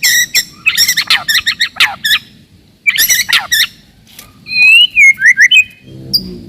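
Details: Song of a white-rumped shama meant to provoke rivals and toughen young birds: harsh rattling chatter phrases, then a clear rising whistle with quick trills, over a faint low hum.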